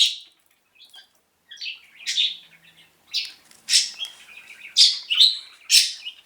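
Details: A pet bird, one of several kept in separate cages, chirps on the left with bright, high calls in quick bursts, about one or two each second, in a quiet room.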